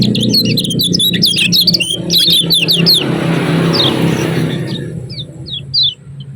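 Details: Lemon-bellied white-eye, Lombok, in an energetic ciak-ciak chirping recording meant to stir other white-eyes into singing. A rapid burst of many quick, high, falling chirps runs for three seconds. Scattered single chirps follow over loud passing-vehicle noise.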